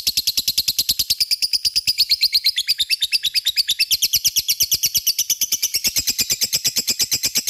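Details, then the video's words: A lovebird sings a long ngekek, used as a lure to stir rival lovebirds: a relentless stream of fast, raspy chirps, near eight a second, carrying on unbroken for seven and a half seconds. "Pancingan LOVE BIRD gacor ngekek,mudah di respon lawan"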